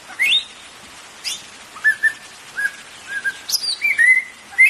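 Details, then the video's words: Caged-bird stimulation recording of white-rumped shama song: bright rising whistles and short level whistled notes, several in a row about half a second apart, ending with a loud upsweep. "PANCINGAN MURAI BATU"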